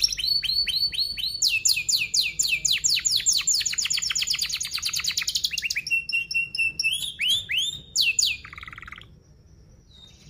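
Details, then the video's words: Canary lure song for training young canaries, fast and dense with rolling 'cuit cuit' phrases: long series of rapid repeated downslurred notes and buzzy trills changing pitch, then a few whistles before fading out. "Kenari Gacor Paud SPEED RAPAT Cuit cuit Ngerol, Pancingan Kenari PAUD BELAJAR BUNYI"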